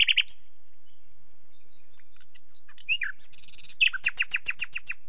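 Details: Nightingale singing: a bright opening note, scattered thin whistles, then a harsh buzzy rattle and a fast series of about eight sharp repeated notes, with quiet pauses between phrases.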